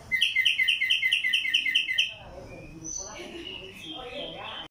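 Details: Singing tumba yegua in Barranquilla, Atlántico, Colombia opens with a fast, even trill of bright chirps lasting two seconds, followed by softer, lower warbled notes.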